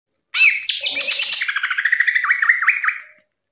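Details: Greater green leafbird singing vigorously in its ngerplong style, kept as a tutor recording for young leafbirds: a fast, dense run of bright chirps sliding into a rapid series of rising and falling whistled notes.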